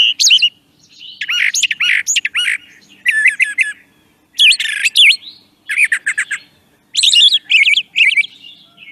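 Brown Thrasher singing loud, varied phrases of rich whistles and harsh chirps, many repeated in pairs before switching to a new phrase; no other sounds intrude.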